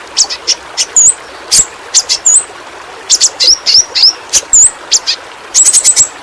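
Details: Flowerpecker (pentis pelangi), a small fruit-eating bird endemic to Kalimantan, in a tutor recording for training pet birds: very high, sharp ticking clicks mixed with short thin upslurred whistles, delivered in irregular quick bursts.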